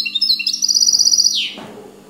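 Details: Mule river goldfinch delivering a faultless song phrase: scattered high tweets, then a quick steady trill of roughly a dozen ringing pips, closing in a descending rasp that fades out.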